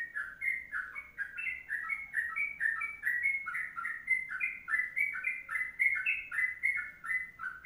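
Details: Sooty-headed bulbul giving its long kongslet song for tutoring: rapid, unbroken sequence of short whistled notes rising and dipping, roughly four per second, with light high-pitched ticks along the top.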